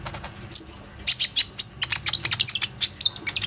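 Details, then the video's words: Lure recording of a Plain-throated sunbird (konin), made with an Oppo A37f phone to spur other sunbirds to sing: dense, rapid high ticking and chirping broken by brief thin piercing whistles. "PANCINGAN KONIN GACOR INI PANDAI MEMANCING KOLIBRI NINJA LAIN AGAR IKUT RAJIN BUNYI"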